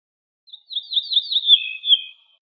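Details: Ortolan bunting in song, from a set of wild bird recordings: a slurred phrase of several sweet whistled notes that gradually lower in pitch, ending on two fuller, slightly dropping whistles; no other sounds.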